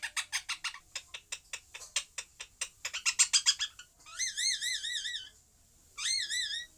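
A parrot gives a fast run of harsh, clipped chattering notes, then two bursts of wavering, warbled whistles.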